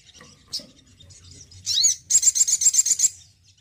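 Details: Caged male Crimson Sunbird, a frequent singer, gives a brief high note, then a buzzy swept phrase, followed by a quick series of about nine piercing high chips.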